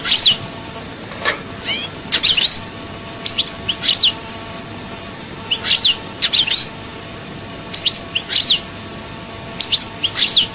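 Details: Song of a European goldfinch recorded in Souk Ahras, Algeria: short clusters of high chirps and twittered notes repeated roughly every second or two, with background hiss.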